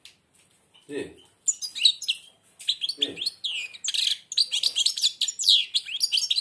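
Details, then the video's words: A European goldfinch that is blind sings with its beak almost closed. It gives a sustained stream of fast, sparkling twitters, buzzy notes and trills. A man briefly speaks twice early on. "تغريد_الحسون أعمى سبحان الله يغرد ومنقاره شبه مغلوق"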